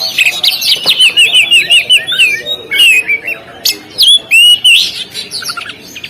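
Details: Continuous song from an Oriental magpie-robin on the contest stand: fast chains of down-slurred whistles, several notes a second, mixed with higher sharp chips and a few longer pure whistles near the end.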